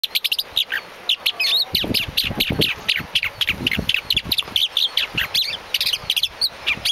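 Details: Galapagos mockingbird singing on Genovesa island, Galapagos: a fast, varied stream of bright chirps and short whistled notes, several per second, delivered continuously, with soft low thumps beneath.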